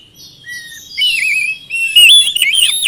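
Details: Oriental magpie-robin, kept as a cage bird, in a lure recording meant to prompt a quiet bird into singing back; high clear whistles, a soft falling note, then a loud run of warbled, swooping phrases.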